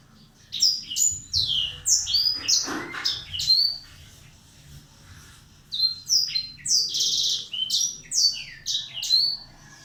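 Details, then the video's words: Black-throated canary sings a lure song: two bursts of fast, varied, high twittering with sharp slurred notes, separated by a brief pause, with a faint low hum underneath. "suara burung Blackthroat"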